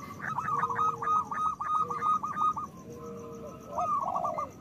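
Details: Local zebra doves singing loudly, used as a lure to prompt lazy doves to sing and to raise breeding desire; rapid bursts of short rolling coos, with a low drawn tone beneath and pauses between phrases.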